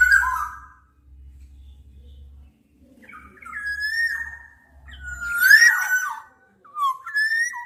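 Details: Black-naped oriole whistling several flute-like phrases, one louder and more complex with a slurred downward twist, over a faint low hum in the background.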